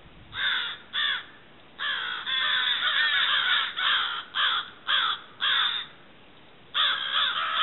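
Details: Crows in October giving rough caws, first in quick pairs, then a long run of overlapping calls, then separate caws again after a short pause.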